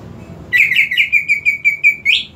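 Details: Greater green leafbird singing as a lure for a leafbird that stays silent: a fast, even string of about nine short whistled notes at a steady pitch, closing with a rising upslurred whistle.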